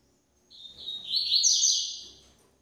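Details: Double-collared seedeater, a female feeding her chicks: one drawn-out, high buzzy call lasting about two seconds, swelling in loudness, then fading, with its pitch slightly wavering; otherwise quiet.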